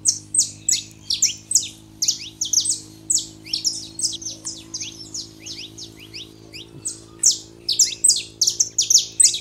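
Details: Pair of saffron finches, male and female, used to warm up a quiet canary: fast, high-pitched chirps slurring downward in lively clusters, a brief lull, then another energetic burst; constant low electrical hum in background.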